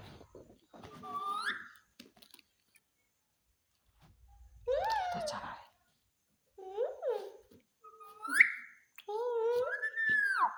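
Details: Pet parrot talking, saying good morning indoors; clear speech-like phrases and whistled rising notes in separate bursts with short silences between, quiet room.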